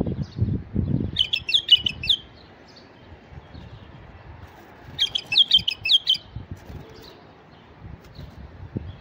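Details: White-eared bulbul male singing to lure wild bulbuls, giving two bursts of rapid, bright whistled notes about four seconds apart, each lasting around a second, over low rumbling background noise.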